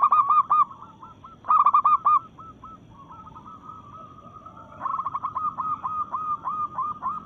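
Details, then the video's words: Local zebra dove (perkutut) in breeding mood, singing to challenge rivals: quick clusters of mellow, rolling coos, each trailing into evenly spaced softer notes, with a longer run of repeated coos in the last seconds. "Perkutut Lokal Gacor SUARA menantang lawan"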